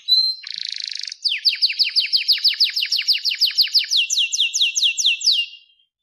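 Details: Masteran training song of a captive-bred blorok white-rumped shama, clear-voiced: a short whistle and buzzy rasp, then a long, fast series of about twenty downslurred notes that fades out.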